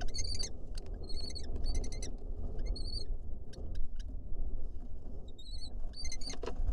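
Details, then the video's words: Lesser kestrel pair, a male and female, courting inside a nest box in Israel. Rival females contest the box. Several bursts of thin, high, chattering calls are repeated over a steady low rumble, with scattered clicks and knocks. "Lesser kestrel pair court"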